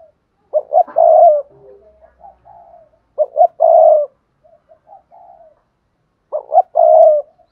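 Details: Spotted dove (cu gáy) singing 'bài bản' style, 'Cườm Sa' bird with a 'hạp bổi' voice. Three repeated mellow coo phrases about every three seconds, each opening with two clipped notes, swelling into a long coo and tailing off in soft murmurs.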